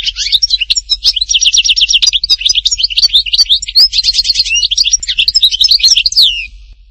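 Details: European goldfinch singing at Htatba, Tipaza: a fast, continuous run of bright twittering notes and buzzy trills for nearly seven seconds, ending in a downslurred whistle.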